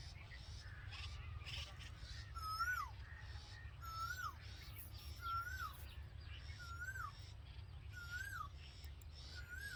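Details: Red-vented bulbul at a nest holding hungry nestlings with their mother: clear slurred notes that hold steady then drop sharply, repeated about every one and a half seconds, with thin high chirps over a steady low rumble.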